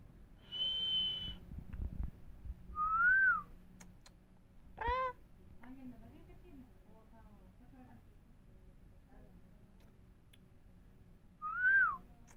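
Parrot gives clear whistles, one high and level and two arched notes, plus a short rasping, voice-like phrase and soft mumbled syllables, all with long pauses between.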